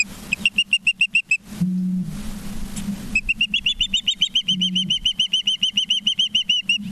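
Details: Osprey at a nest in Charlo, Montana, filmed by a live nature cam on 19 September 2023 at 20:14; long runs of sharp, high whistled chirps repeated rapidly several times a second, with a steady low electrical hum beneath.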